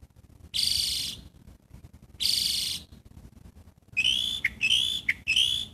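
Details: Catbird calling: two broad, buzzy notes first, then a quick run of three shorter, downslurred mewing calls.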